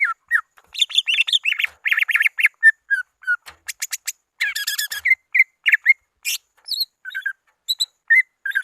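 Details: Greater green leafbird lure sound meant to call rivals: a dense, varied stream of whistled notes, rapid chattering bursts and high squeaky phrases with brief gaps.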